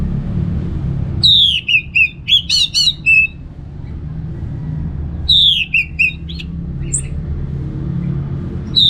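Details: Anis merah (orange-headed thrush) giving relaxed 'ngeplong' singing. Two rich bursts of quick, piercing whistles, trills and buzzy notes are separated by about two seconds of quiet, over a background rumble.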